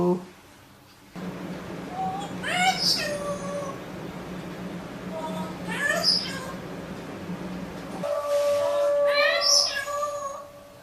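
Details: Parrot mimicking human speech: three voice-like phrases with stacked, sweeping harmonics, each about a second long and a few seconds apart, over a steady low hum.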